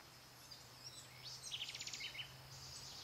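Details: Orange-bellied euphonia of subspecies quitensis at Sachatamia Lodge, Ecuador, in May 2012. A quick, high series of about eight short notes rattles out in under a second, then two brief notes, over faint background noise.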